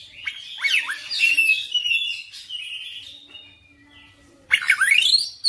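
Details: Persistent oriental magpie-robin song in a full repertoire display: rapid chirpy whistles, a fading whistled phrase, a brief quiet gap, then a loud burst of rising sweeping notes.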